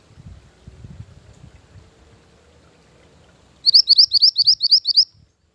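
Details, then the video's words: Used as a lure and training master song, a mantenan gunung bird gives a fast series of bright, high upslurred whistles after a stretch of faint low rumbling background noise. "Mantenan Gunung Pikat Gacor"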